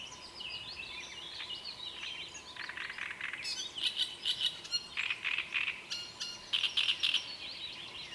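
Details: Great reed warbler singing: after a softer opening, harsh, grating notes build into loud rhythmic bursts repeated about four times a second, with faint whistling of other birds behind.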